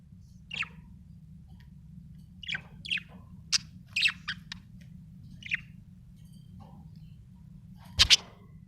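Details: Budgie giving about a dozen brief, high, sharp chirps, single or in quick clusters and spaced irregularly, with one loud, piercing chirp near the end over a constant low background hum.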